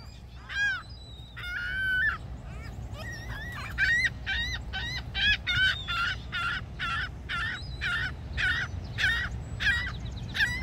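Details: Gull at Niagara, Canada, giving a long series of loud, ringing yelps: a few drawn-out, wavering cries first, then shorter harsh notes repeated about twice a second, over a steady low rumble.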